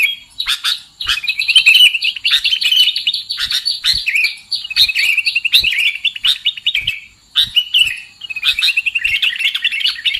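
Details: Sooty-headed bulbul calls played as a trapping lure: long runs of rapid, bubbling chirps, sometimes several birds overlapping, broken by short silences, with some sharp clicks.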